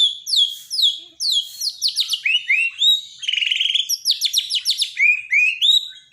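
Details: Daily master song of a Borneo white-rumped shama for reviving silent birds: loud, fast sequence of descending whistled sweeps, clicking stutters and a buzzy trill, phrases repeating in quick bursts with almost no gaps.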